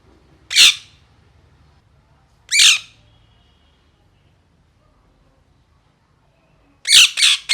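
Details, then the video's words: Parrot giving piercing, buzzy screeches. Two single calls come about two seconds apart, then a quick triple near the end, over faint low background noise. "Parrot Chirping Sounds"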